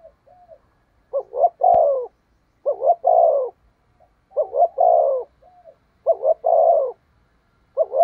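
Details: Decoy spotted dove, used for luring wild doves, cooing thúc gù. Steady phrases come about every one and a half seconds, each a doubled lead-in note and a long falling coo, with a brief click partway through.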